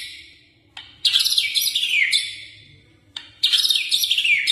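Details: White-rumped shama singing vigorously: two bursts of rich, high, rapidly warbled whistles, each sliding downward over about a second, separated by a short pause with a faint low hum.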